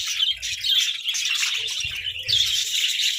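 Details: Several pet budgerigars squabbling over treats, filling the air with thick, shrill twittering and quick chirps, faint bumps beneath.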